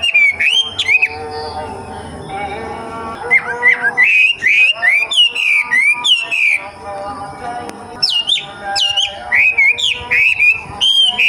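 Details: Young wild racket-tailed treepie giving a run of clear whistled notes, each bending up then dropping, delivered in quick irregular bursts with brief pauses, over a faint steady hum.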